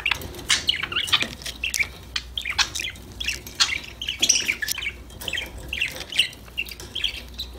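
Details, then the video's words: Happy budgies chattering together in a group, natural unfiltered recording; continuous mix of squeaky chirps, harsh squawks and warbling notes overlapping at an uneven, busy pace. "Your #budgies will start chirping, talking, playing after listening these #parrot #bird sound"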